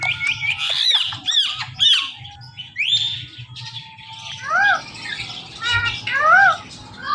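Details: Pet male and female Indian ringneck parakeets calling in the morning: dense scratchy chatter with sharp squeaks, then a run of strident arched screeches, over steady background rumble.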